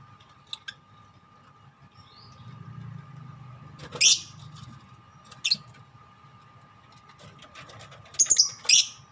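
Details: Four lovebirds of different colours chattering together in ngekek style: a few brief, shrill, high chirps at about four, five and a half and eight seconds, the last a quick double burst, over a low background hum.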